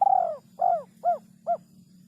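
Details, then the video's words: Spotted dove song in a hard-to-find rhythm: one long, slightly falling coo followed by three progressively shorter, arched coos about half a second apart, with faint low humming behind. "Burung Derkuku Iramanya Yg Sangat Susah Di Temukan"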